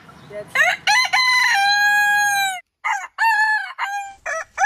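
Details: Big rooster of a heritage breed crowing: a stuttered rising opening into a long sustained falling tone, then shorter crows with clipped syllables from another bird.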